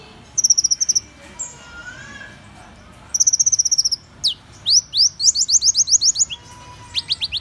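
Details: Van Hasselt's sunbird singing high, thin trills in bursts, then a run of quick upward-sweeping notes and more rapid high pulses, with short pauses between phrases.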